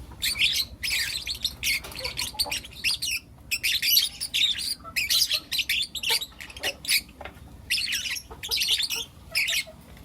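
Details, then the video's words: Morning chatter of four young lutino lovebirds: clusters of harsh, high-pitched chirps in quick succession, pausing briefly between groups, against a soft low hum. "Lutino LoveBird Chirping Sounds - four Cute LoveBird Kids"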